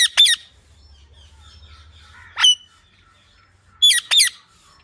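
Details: Talking parrot letting out a pair of piercing, rasping screeches, a lone shriek midway, then another quick double screech; quiet low hum between calls, no speech heard.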